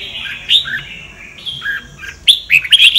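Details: Sông Kon style song of a red-whiskered bulbul, used to train singing birds: sustained high whistles broken by dipping slurred notes, finishing with a burst of fast, sharp chirps.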